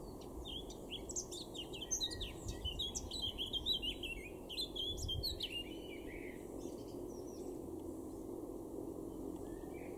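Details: A male Eurasian blackcap sings a rapid, varied warbling phrase of sweet, jumbled notes for several seconds in a garden in Weener, East Frisia, far northwest Germany, in April 2024, over steady low rumbling background noise.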